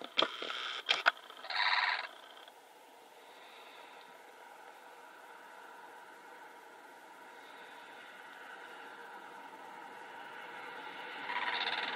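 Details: A few clicks and a short broad burst of noise, then a steady background hum that swells slightly at the end; no animal calls.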